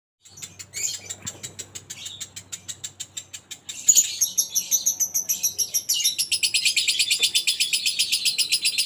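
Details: Pet lovebird in gacor form, singing in the ngekek style: spaced high chirps for four seconds, then a burst, then dense fast chattering trills after six seconds, over a faint low hum.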